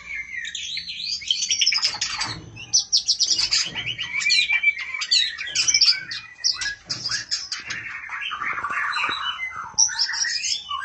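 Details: Female oriental magpie-robin calling the male: dense, rapid stream of varied high whistles, chirps and trills, with sweeping and buzzy notes running almost continuously, no other sounds.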